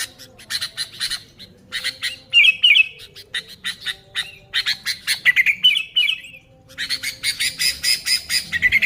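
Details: Sooty-headed bulbul singing energetically, as used to lure other bulbuls: a dense run of harsh, sharp notes broken by quick twittering trills, continuing almost without pause.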